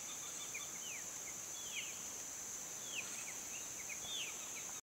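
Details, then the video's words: Female Lettered Aracari giving short, high downslurred notes, singly or in quick pairs, over a steady shrill insect drone. "Lettered Aracari"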